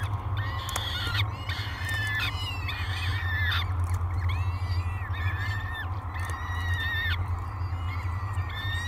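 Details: At breakfast on 24 May 2022, three peregrine falcon chicks on the live camera at Great Spirit Bluff beg insistently: a steady series of strained, harmonic wails, each about half a second, with short gaps, above a low background hum.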